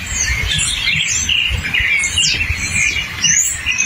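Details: A Hepatic tanager singing in the forest gives a busy run of quick, sweeping chirps and short whistles, rising and falling irregularly, with other birdsong overlapping in the background.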